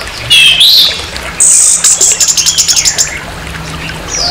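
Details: Orange-headed thrush in harsh, provoking song aimed at another orange-headed thrush: two upward-sweeping whistles, then a high sustained note breaking into a fast, pulsing trill that fades out.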